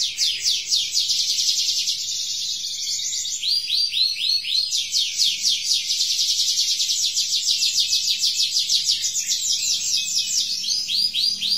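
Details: Canary learning to sing, delivering a continuous stream of high, rolling trills of rapidly repeated sweeping notes, with the tempo and pitch shifting between phrases, over a faint low hum.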